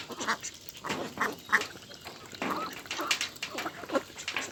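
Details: Many ducks raised for meat on a rice field farm, giving loud nasal quacks in uneven bursts, several birds overlapping, with steady background hiss.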